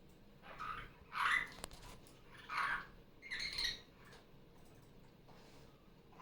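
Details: Indoor pet superb parrot, a female off her nest for Sunday morning playtime, gives four rasping squawks about a second apart at moderate loudness, with soft background noise from a tablet showing other superb parrot clips.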